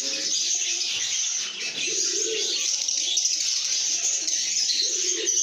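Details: A flock of lovebirds in good mood fills the air with continuous shrill chirping and twittering, plus intermittent soft lower warbles.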